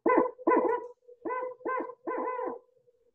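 Barred Owl giving a rhythmic series of five deep, throaty hoots in about three seconds, the classic 'who cooks for you' phrasing.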